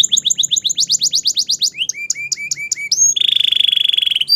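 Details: In the morning a Belgian canary sings a quick series of falling whistled notes, then short upswept chirps, a rising whistle and a long, steady, rapid buzzing trill.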